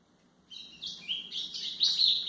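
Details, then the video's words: White-throated seedeater song used for training young birds: after half a second of quiet, high whistled and warbled phrases begin, rising in loudness and ending with bright, piercing notes. "canto de golinha para foquear pássaros"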